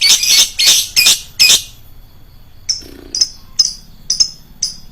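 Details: Lovebird lure recording with a loud, shrill voice: four rapid harsh screeches, then a pause and a row of shorter, sharp, high chirps repeated about every half second.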